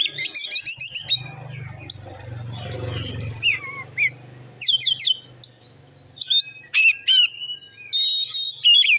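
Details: Oriental magpie-robin ngeplong song, used to provoke rival magpie-robins: rapid whistled and buzzy phrases at the start and end, broken by a stretch of loud low rumbling noise in the middle.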